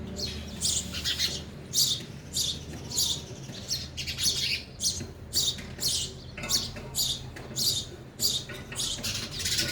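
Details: Sparrows eating at a feeder give short, bright, harsh chirps, about one or two a second in an uneven run, over a faint low hum.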